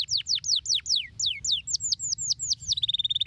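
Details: Canary singing stimulating song: evenly spaced downward-sweeping whistles, gradually flattening, ending in a rapid level buzzy trill, with soft low hum beneath.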